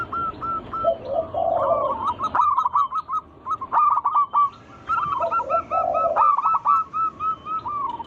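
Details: Local zebra dove in full song meant to draw other doves into singing: bursts of quick staccato notes alternating with short low gurgles, pausing briefly mid-way, then resuming with a bright rattling phrase.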